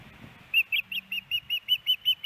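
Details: At a Montana nest in Hellgate Canyon, Missoula, a female osprey calls for fish from her mate on 10 September 2018. Around eleven strident whistled chirps repeat evenly, slightly wavering in pitch.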